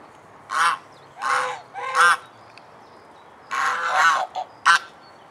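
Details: Domestic swan goose, Anser cygnoides domestica, recorded in Alkmaar, Holland: separate loud brassy honks, some rising then falling, in two bursts with a quiet gap, ending in short clipped notes.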